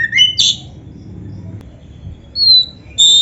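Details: Oriental magpie-robin giving sparse song fragments: a few quick sharp chirps, a long pause, then two clear, thin, sustained high whistles.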